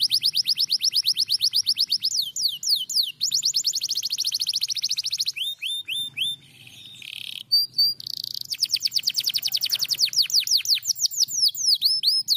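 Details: Canary replying to a lure recording with long loud trills of rapidly repeated high notes, alternating with bursts of slurred whistles and a short buzzy passage in the middle.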